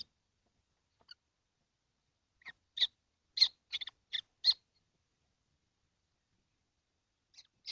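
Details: On a hot 12 June 2025, seven kestrels share a nesting box. A quick volley of loud harsh notes sits mid-clip, with a few faint ones before and after.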